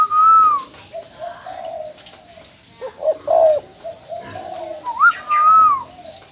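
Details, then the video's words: Caged spotted dove decoy from Ben Tre, Vietnam, recorded in farewell before its sale: low mellow coos repeating, with clearer higher whistled arching notes at the start and near the end. "Cu gáy bến tre.Chia tay mồi mỏ công( đã bán)"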